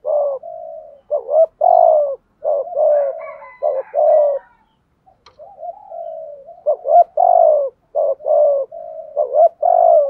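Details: Decoy spotted dove giving the thúc gù cooing style in a thổ voice: repeated phrases of quick doubled notes and long falling coos, a short quiet break midway, faint higher thin notes around it.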